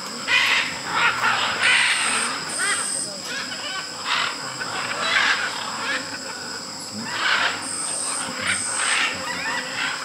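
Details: Many macaws at the huge Tambopata clay lick in Peru, where hundreds of macaws and parrots gather daily to eat clay, give harsh grating squawks overlapping in ragged bursts every second or two, over steady high insect whine.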